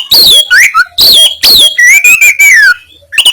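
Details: Oriental magpie-robin in loud 'kasaran' song meant to make rivals puff up: repeated sharply falling whistled slurs with scratchy overtones, then a long wavering whistle that rises and drops, all close and strong.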